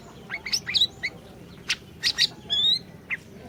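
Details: Orange-bellied leafbird song used as a lure to make a silent bird sing: quick sequence of short chips and buzzy sweeping notes, then a longer harsh rasping phrase and one final slurred note.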